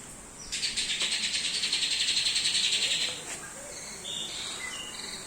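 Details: A young captive White-rumped Shama, just past its juvenile spotted stage, starting to sing and 'fight', gives a fast, buzzy rattle of about ten notes a second for nearly three seconds, then a few short, high, clear whistles.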